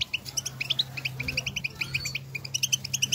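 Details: European goldfinches in nature exchanging calls, crisp high chirps in rhythmic bursts several per second, over a constant low hum.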